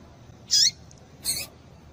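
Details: A papa-capim female gives her stimulating call: a bright, high squeaky chip with a falling tail, followed a moment later by a second, broader and harsher note, against a quiet background.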